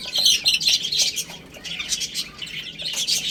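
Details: A group of chicks eating and playing, piping rapid high cheeps in dense clusters, with regular soft pecking taps beneath.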